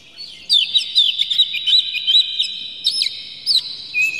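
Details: Oriental magpie-robin in an emotional display with its tail spread, its song meant to provoke others. A loud, fast run of bright warbled notes gives way to a few separate sharp chirps and a slurred whistle.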